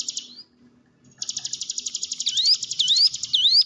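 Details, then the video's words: A hill prinia's high, rattling trill starts after a short pause, soon joined by three upslurred whistled notes. The recording is played as a lure to make silent caged birds sing. "ciblek gunung diam saja kurang loss mental ciut latih dengan pancingan ini"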